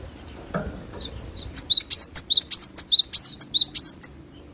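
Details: Cinereous tit singing energetically, in full natural sound: a fast run of high, clear whistled two-note phrases, each a sharp upslurred note followed by a lower one, repeated about eight times in quick succession after a brief low thump.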